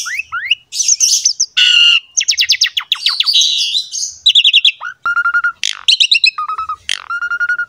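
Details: Asian pied starling in full, busy song used to lure and tutor young starlings: rapid chattering trills, rising whistles, harsh rasps and clear level whistles, changing phrases every second or so.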